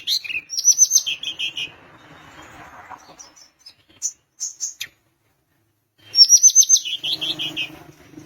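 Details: Sunda minivet singing strongly, meant to provoke rivals to answer: two bursts of rapid, evenly spaced high chirps sliding down into buzzy notes, separated by scattered short chips and a silent gap, with faint low background noise.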